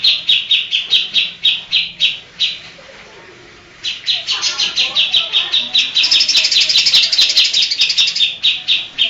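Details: Singing greater green leafbird imitating Kapas Tembak, Cililin, Tengkek, Lovebird and Cucak Jenggot: steady sharp repeated notes, a short silence, then an accelerating stream climbing into a higher, denser trill.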